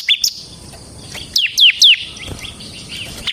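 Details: Caged bar-winged prinia of the semi type, song used as a lure and master: scattered high chirps with three loud descending notes in the middle, then softer trailing notes.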